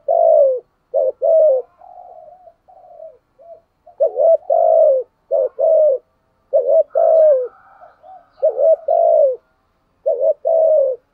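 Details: Decoy spotted dove cooing to provoke wild rival doves: low, mellow coos in short bursts of two or three notes, with softer, quieter warbled notes between bursts. No other sounds.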